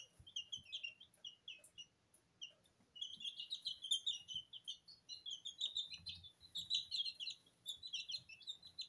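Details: Porcelain and Lemon Sablepoot bantam chicks, two weeks old, indoors in a kitchen bathing in their own feed, giving a near-continuous stream of high, thin peeping chirps, several birds overlapping, with brief pauses.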